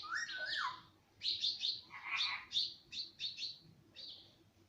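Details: Pet ringneck parrot said to speak words such as mummy and papa: a smooth falling whistled phrase, then a run of short chirpy, voice-like syllables at irregular spacing, in a quiet room.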